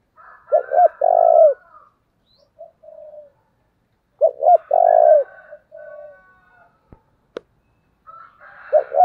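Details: Spotted dove kept as a decoy to draw in wild birds, repeating its phrase about every four seconds: two short coos and then a long deep coo. Softer coos follow, with two sharp clicks near the end.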